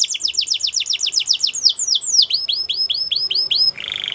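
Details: Belgian canary, white, singing quick series of sharply falling whistled notes, about four per second, shifting to a slower set of rising-falling notes and ending in a harsh buzzy roll.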